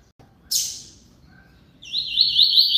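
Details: Double-collared seedeater singing persistently: a sharp, noisy burst, a quiet pause, then the start of a high, rapid, wavering warble. Steady low background hum throughout.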